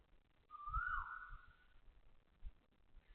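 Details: Single loud Asian koel call at 6:30 am on 20 October 2025, Toa Payoh Lorong 8, Singapore: a rising whistled note that bends downward and fades, with low thumping background noise.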